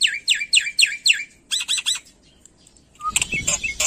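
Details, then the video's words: Black-winged myna in lively song packed with mimicry. Four swooping, downslurred whistles come in quick succession, then short buzzy bursts, a lone whistled note, and a harsh, noisy rasping passage at the end. "Suara Burung Jalak Putih Gacor Full Isian"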